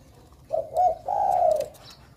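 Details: Bangkok-type zebra dove, a lively singer used to prompt young doves to sing. A brief low cooing phrase: two soft, slightly wavering coos, the second longer and gently falling, in a quiet room.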